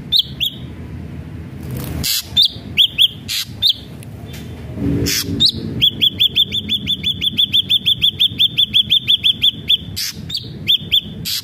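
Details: Ashy drongo song used as a lure to get other ashy drongos singing: sharp high chirped notes in small clusters, then a fast run of about twenty evenly spaced chirps, broken by loud broadband clicks and bursts of noise.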